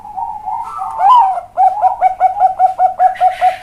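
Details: Bangkok-type zebra dove used as a training tutor for other birds, with a big, deep cowong-style voice. A low coo rises into a swelling note, then a steady series of about eleven short, hollow coos follows, close together in a small room.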